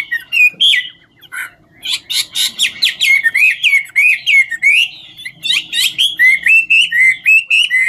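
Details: A Chinese hwamei (Garrulax canorus) sings while displaying, pouring out a loud, rich song of rapid whistled and slurred phrases, high and varied, with barely a pause between notes.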